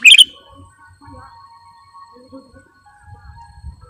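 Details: Sooty-headed bulbul (kutilang) pikat song: one brief, bright, bubbling phrase at the start, followed by faint whistles and low rumbling background.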